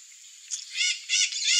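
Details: Curl-crested jay giving harsh, nasal, harmonic calls: one short note, then two longer grating bursts close together near the end, over a steady high-pitched hiss or insect drone.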